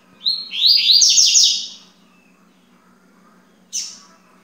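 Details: Coleiro baiano, the yellow-bellied seedeater, recorded at 9:20 a.m. on day two: a quick, bright warbled phrase of high sliding notes lasting over a second, then a pause and one sharp chip, with a low background hum.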